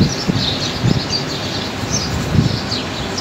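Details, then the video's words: Outdoor birds chirp on a mild, dry day as wind stirs a tree and someone cleans a window: high, thin chirps repeated through the stretch above low rustling and a few soft, low thumps. "Ganda pakinggan ng huni ng mga ibon"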